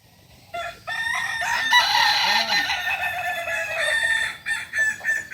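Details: Kukuak balenggek cocks in a crowing contest at Panyakalan, Solok, building from quiet into a continuous, loud, overlapping chorus of long multi-note crows that pulses toward the end.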